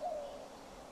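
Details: An owl, believed to be a Western Screech Owl, about 60 feet above the ground, gives a single short, mellow hoot at a medium pitch that dips slightly, then fades into a soft background hiss.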